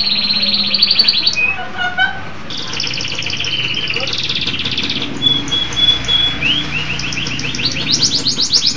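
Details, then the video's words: Vigorous song of a local canary, with high trills and rolls broken by a brief pause. A steady pure whistle and quick rising chips follow, over a background murmur. "Kicau Burung Kenari Lokal Gacor"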